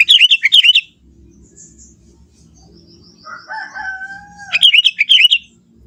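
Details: Young forest Sooty-headed bulbul, natural song: short chattering bursts of rapid liquid notes open and close the stretch, while a longer, steady, lower whistled call sounds in between.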